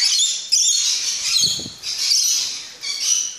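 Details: Rainbow Lorikeets kept in a Dutch park aviary, noisy with excitement at feeding time, produce overlapping shrill, grating screeches in a steady chattering mass, with brief dips between bursts and a faint low thump midway.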